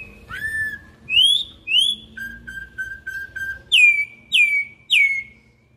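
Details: Campo troupial singing in a wild setting: a varied sequence of clear whistled notes, a rising whistle, upslurred phrases, a run of five short level whistles, then three loud descending slurred whistles about half a second apart.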